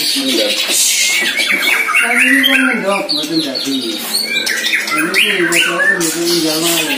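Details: Caged White-rumped shama aged one year, on its first training bout against a neighbouring shama, giving loud mixed song with chattering, squawk-like notes and repeated whistled slurs in an energetic run; a man speaks right afterward.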